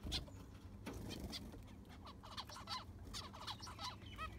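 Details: Caged zebra finches in an aviary while it is cleaned and the sand replaced: short, nasal, trumpet-like beeps repeat irregularly over steady low scraping and rumbling from the work.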